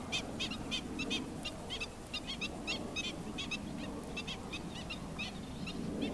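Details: An adult black-winged stilt with chicks gives sharp, nasal, yelping kek notes, often doubled, several each second, over a steady low rumble of wind or water.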